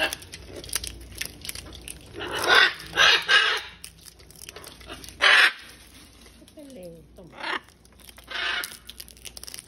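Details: Wild macaws visiting a balcony during chick season to take peanuts and fruit for their young give harsh, raucous screeches in short bursts: a quick run of three, then single squawks spaced a few seconds apart, with faint thin whistles between.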